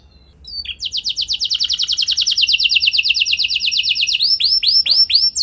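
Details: Canary singing a lure song meant to prompt other canaries to sing, opening with a brief chirp, then a long rapid tour of repeated downward-sweeping whistles at a steady fast rate, ending in slower, looping, bell-like notes.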